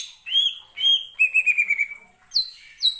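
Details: Greater green leafbird singing to provoke other birds: two clear drawn-out whistles, then a fast quavering trill, ending with sharp downward-swooping high notes.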